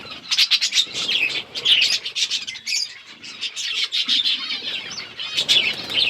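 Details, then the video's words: Budgerigars chirping while eating, a busy stream of overlapping high, scratchy chirps and warbling twitters from several birds, steady and continuous with brief pauses. "Budgies eating | Budgies beautiful colors and chirping sounds"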